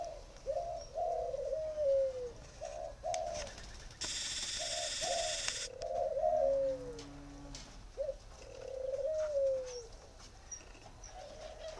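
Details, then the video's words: Spotted dove, a northern Vietnam singing bird from a dove breeder in Ba Vì, gives low mellow coos in repeated multi-note phrases, each ending in a sliding drawn-out note. A loud hissing noise burst interrupts midway. "chim cu gáy hay miền bắc"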